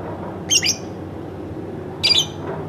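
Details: Pet lovebird indoors making two raspy chattering chirps about one and a half seconds apart over a low hum.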